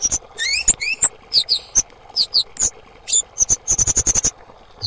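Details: Female kemade call used to prompt silent or stressed kemade to sing: rapid high squeaky notes, rising slurred whistles and sharp chips in quick bursts, ending in a fast even series of about eight clipped peeps.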